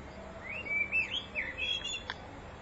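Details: Common blackbird in spring song, filmed in spring 2014: a continuous fluting, mellow whistled phrase of rising and falling notes, ending with a short click, against quiet background hiss.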